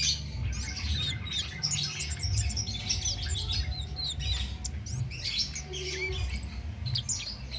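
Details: Cit keres flowerpecker, recorded as a master song for training songbirds, chirps without pause: rapid thin, high notes and short upslurred twitters in a steady stream, with low hum beneath.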